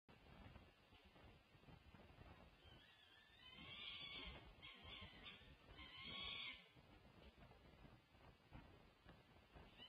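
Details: Peregrine falcons at a UC Berkeley nest, June 1, 2024: the female feeds her young daughters as the male drops in from a perch above. Two bursts of harsh, raspy, wailing calls rise over a steady rushing background.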